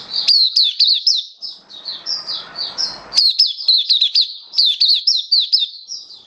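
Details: Oriental white-eye kept as a hobby songbird, giving a fast run of high twittering notes, each a quick down-slurred chip, with a softer warbling stretch in the middle before the bright bursts resume.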